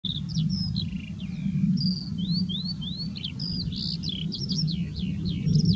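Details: A red-throated pipit in Upper Silesia, April 2024, gives thin, high, sweeping calls in quick succession, some rising and some slurred, over a steady low rumble of wind or distant traffic.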